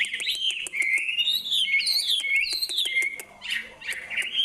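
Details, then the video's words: Indonesian bird singing long sliding whistles that glide up and down, broken by sharp clicking noises throughout. "suaranya sangat menarik.(burung)."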